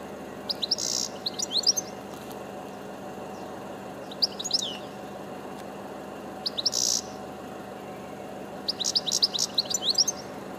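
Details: European goldfinch singing high up: scattered phrases of twittering, chirping notes with a couple of brief buzzy bursts, repeated in groups every few seconds over a low continuous background hum.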